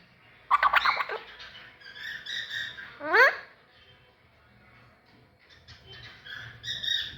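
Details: Alexandrine parakeet talking: a burst of rapid harmonic syllables, then a sharp rising sweep, followed by quieter warbled notes and a final harsher phrase, with some faint music.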